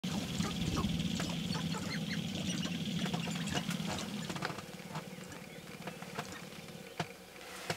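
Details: Sharp-tailed grouse at a lek in early morning, about 30 to 40 birds with only a handful of females, performing the mating dance: low rapid cooing and rattling pulses, dense stamping-like clicks, the chorus fading toward the end.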